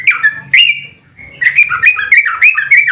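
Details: Sooty-headed bulbul in fighting song, intended to provoke other birds: a pair of bright chirps, a brief lull, then a quick tumbling string of liquid, warbling notes.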